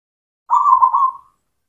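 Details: Local zebra dove, including the black cemani type, singing as a lure to stimulate silent doves to sing: a single soft trilled coo near one pitch, lasting under a second, with a faint higher overtone.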